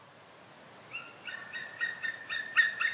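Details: White-tailed eagle giving a short series of yelping, harmonic-rich notes that start after a quiet second and grow louder and quicker toward the end, over faint background hiss.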